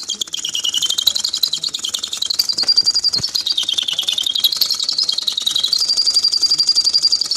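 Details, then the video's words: A bird chirps in a fast, unbroken twitter of high notes, about four a second, the pitch sliding gently up and down throughout. "chirping bird"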